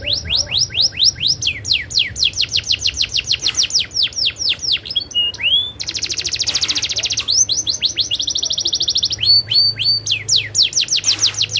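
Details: Canary in rolling song: long runs of rapid rising whistled sweeps, switching to buzzy sustained trills and back to sweeping notes, loud and continuous throughout.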